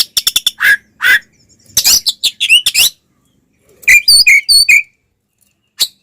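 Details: Oriental magpie-robin fighting song used to provoke other magpie-robins: sharp loud clicks and harsh rasping bursts, then a row of clear downslurred whistles, with a last short note after a pause.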